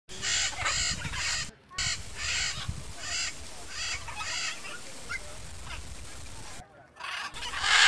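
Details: Pair of wild blue-and-yellow macaws (Ara ararauna) nesting among trees, giving loud harsh squawks in bursts of several repeated raspy notes, with short pauses between.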